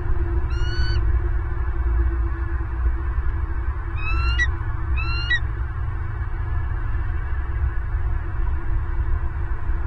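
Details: Wild bald eagle at its nest in Southwest Florida, late November 2022 around the first egg, recorded by a live nest camera: three bursts of high, thin, rising chirps, harmonics stacked, over a steady low rumble of wind or camera hum.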